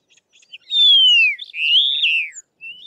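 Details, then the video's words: In the southern Karoo of South Africa, a Karoo Long-billed Lark gives its loud descending whistle, a long smooth downslur, then a warbled rising-and-falling buzzy note, with faint short chips before and a brief rising note after. "Karoo Long-billed Lark calling in the southern Karoo"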